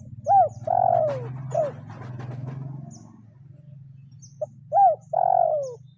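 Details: Spotted dove calling a rival, a trained lure bird in the kuk 0-1 style: two cooing phrases, each a short note, an arched coo, then a long falling coo, over a steady low hum.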